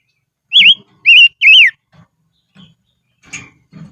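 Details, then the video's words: Silver-eared mesia used as a decoy, singing in the highlands: three loud wavering whistles in rapid sequence, followed by soft low knocks and a faint scratchy sound. "Chim Ngũ Sắc Mồi Hót Trên Vùng Cao"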